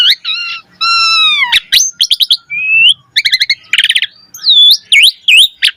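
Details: Asian pied starling in energetic song full of varied phrases, used to make other starlings sing sooner. A long rich descending note with strong overtones, rapid stuttering chatters and sharp V-shaped whistles in quick succession.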